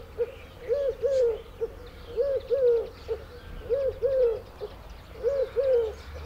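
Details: Eurasian collared dove singing a hollow, breathy three-note coo, a short note followed by two longer ones, with phrases repeated roughly every one and a half seconds over faint background hiss.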